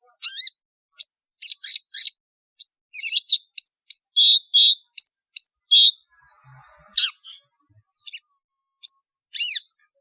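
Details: Long-tailed shrike lure calls to draw birds together: irregular sequences of scratchy chirps, short whistled notes and buzzy bursts, with pauses and a few upslurred calls toward the end.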